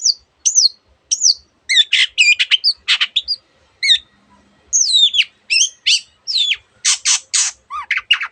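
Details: Long-tailed shrike in full, lively song with many imitated bird variations: clear downslurred whistles and twisting chirps alternating with harsh rasping bursts, delivered in short phrases with brief gaps, high and bright.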